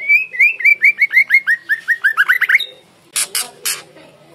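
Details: Forest-voiced song of a female white-rumped shama: about fifteen clear, looping whistles, rising and falling in quick succession and speeding toward the end, followed by a pause and three loud, scratchy rasps.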